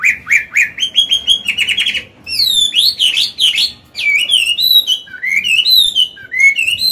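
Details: Chinese hwamei, an old wild-caught bird with a forest-style voice, used to train caged birds to sing: rapid repeated notes, then loud rich whistled phrases sliding up and down, varied and continuous.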